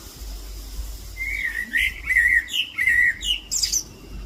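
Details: Alpine chough chattering, back again: a string of short, bright chirping notes rising stepwise in pitch over about two seconds, ending with a higher squeaky note, over faint low background rumble.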